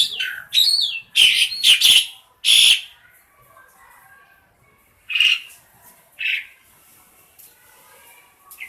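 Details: Pet black-collared starling, tame, singing receh as training material for other birds: a cluster of harsh squawks and whistles in the first three seconds, then two isolated rasping notes after a pause.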